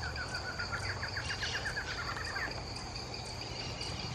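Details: Barred Antshrike at Rio Branco, Acre, on the Universidade Federal do Acre campus, giving a quick two-second series of nasal notes that speeds up and ends on a rising note, over a steady high insect drone and low rumble.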